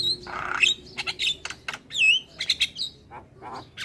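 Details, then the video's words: Javan myna singing, played to draw replies from other starlings: mixed harsh squawks, short noisy bursts and clear rising whistles, irregular and chattering. "Ocehan Burung Jalak kebo Bikin Semua Jenis Burung Jalak Respon"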